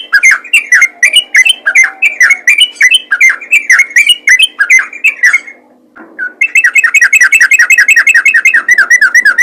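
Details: Yellow-vented bulbul calling other bulbuls, active and vocal: rapid chattering chirps that slur downward, a brief pause near six seconds, then a denser, even stream of repeated chirps. A low steady hum sits beneath.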